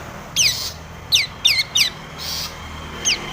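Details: Long-tailed shrike phrase from a provoking song for other shrikes: five sharp, high notes sliding steeply downward, some paired, separated by brief gaps.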